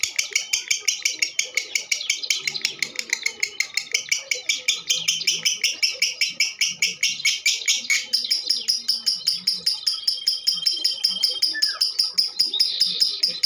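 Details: Female lovebird singing at length as a lure for other birds: dense, rasping broadband chatter for the first half, then clearer shrill chirps repeated rapidly, about two and a half per second, until the end.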